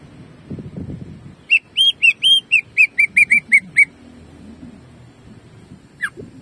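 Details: Greater green leafbird singing jamtrok, shooting phrases used as a tutor to excite other birds: a fast train of about a dozen bright, slurred whistles, then a single sharp downward note.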